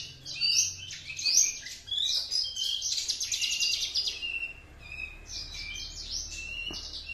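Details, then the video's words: Juvenile Horsfield's bush lark from Java, two months old, delivering its tutored master song learned from another bush lark; dense, fast run of high twittering and buzzy notes, nearly continuous, with a few sliding whistles toward the end. "branjangan java usia 2 bln sudah mulai membawakan materi masteran nya"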